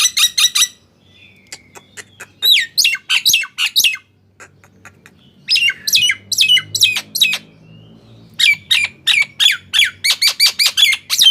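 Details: Nias hill myna song to spur non-singing mynas: clusters of loud, harsh, ringing notes and sliding whistles, separated by near-silent gaps with faint ticks, then a long, fast closing burst.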